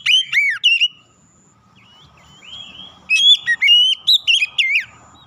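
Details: Oriental magpie-robin singing as a lure to rouse silent birds: crisp downslurred whistles, a soft drawn-out warble, then a lively run of loud, clear whistled notes over faint low noise.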